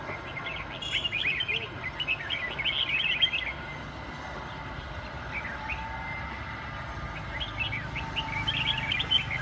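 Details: Red-whiskered bulbul of the Huế cánh type giving quick chirping, warbled notes in loose bursts, quieter between about four and five seconds, over a steady low rumble of background noise.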